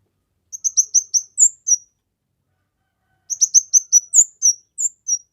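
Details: A kemade in full, energetic voice, recorded for training, luring and prompting other birds: two phrases of fast, sharp, high chirps, each closing with longer down-slurred whistles, separated by over a second of silence.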